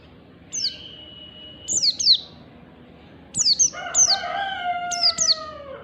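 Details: Morning ngalas tutor song of an Oriental white-eye for pet-bird training: high, downward-sliding whistles in pairs and triplets, with a rooster crowing in the background during the second half.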